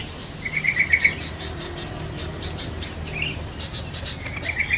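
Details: Bright, stuttering notes from a wild yellow-vented bulbul, repeated in two short bursts at the start and end, set against dense high-pitched bird chatter and cricket-like buzzing.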